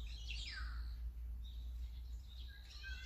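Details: Azure-winged magpie giving a few descending, slurred calls that sweep downward, followed by fainter thin notes, over a steady low rumbling hum.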